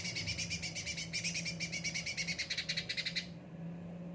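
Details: Caged cucak ranting delivering a fast pulsed rattling phrase of about twenty beats, broad and buzzy, then stopping; a steady low electrical hum runs throughout indoors.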